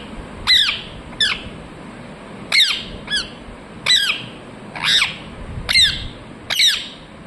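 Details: A parrot gives sharp, harsh squawks with downward-sweeping harmonics, about eight bursts in seven seconds at uneven spacing, against a faint low background hum.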